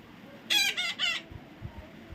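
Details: Baby parrot uttering three rapid, harsh squawks in quick succession, rough and buzzy, followed by quiet low rumbles.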